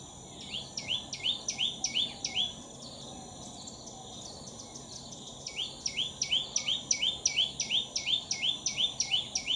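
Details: A common tailorbird (Orthotomus sutorius) calling in September at Betki-Khandola, Goa, gives loud, sharp, high notes, about three a second, in two brisk bursts, over a steady high insect whine.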